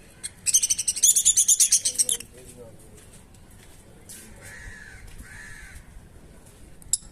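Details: Pet Lutino lovebirds after laying an egg: a two-second burst of about ten rapid, shrill, harsh pulsed notes, followed by faint scattered chirps and quiet room noise.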